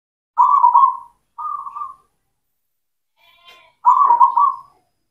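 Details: Local zebra dove of the black cemani type, singing actively as a lure to get silent doves singing: two soft, throbbing, pulsed coo phrases under a second long, a faint murmur, then another rolling coo phrase.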